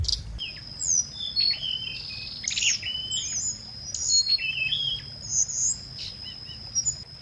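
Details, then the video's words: Scarlet minivet singing in a lure recording: a busy run of thin, high chirps and short whistled slurs, some sweeping down, over a steady shrill high whine that holds from start to finish. "Tiếng chim hồng hạnh mồi chuẩn | hồng hạnh hót"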